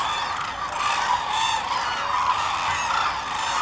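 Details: A dense chorus of Hooded Cranes at the Izumi crane observation centre, Kagoshima, Japan, on March 7, 2018, gives loud, overlapping trumpeting and honking calls with no pause for the whole stretch.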